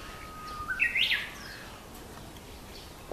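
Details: Japanese bush warbler singing in Aoba-no-Mori Park on 30 May: a long, steady low whistle that jumps into a quick, higher, rising-and-falling flourish, the whole phrase lasting about a second. Quiet background follows.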